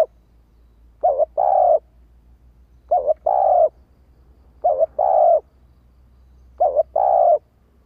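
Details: A female spotted dove repeats its urging call, given to spur male doves into answering quickly. Four two-part phrases come roughly every two seconds, each a short wobbling note and a longer level coo, over a faint low hum.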